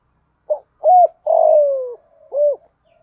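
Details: Decoy calling of a female spotted dove meant to draw in males, in 'giọng thổ pha' voice with a single end note: a short coo, then a paired coo, a drawn-out descending coo and a last round coo, over silence.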